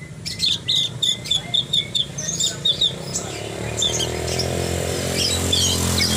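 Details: Javan bush lark singing actively: a quick series of high, clipped whistled notes and chirps for about three seconds, then a steady roaring background noise that swamps the song.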